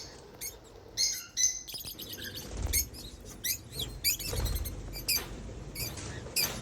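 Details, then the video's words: Free-flying African lovebirds, described as happy, make quick high chirps and squeaky twitters in irregular bursts, mixed with soft rustling and low thumps in the background. "Happy lovebirds making sounds"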